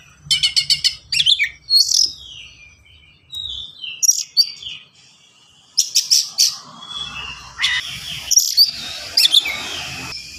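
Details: Kacer, the Oriental magpie-robin, in vigorous rapid song with unique fill-in notes and sharp bursts: clusters of quick staccato chips, slurred whistles and scratchy trills separated by brief pauses, with a faint hiss in the background.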